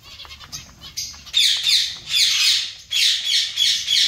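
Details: Zebra finches in a colony: quieter calling, then from about 1.3 seconds repeated loud, slurred nasal calls in quick succession.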